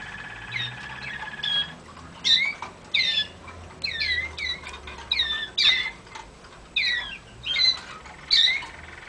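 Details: Waterslager canary song used to teach singing: short, bright upward-sweeping phrases repeated roughly every second over steady background hiss.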